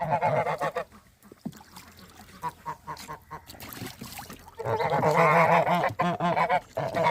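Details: Goose in breeding season gives loud, harsh, nasal honks in rapid ragged bursts, with a quieter spell of scattered honking between two noisy outbursts.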